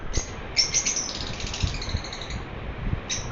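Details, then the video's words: Cheerfully chirping pet lovebird: a quick chattering cluster of high, thin chirps trails off, then one more sharp chirp follows after a pause, over soft low room noise. "My cute Romeo is chirping happily."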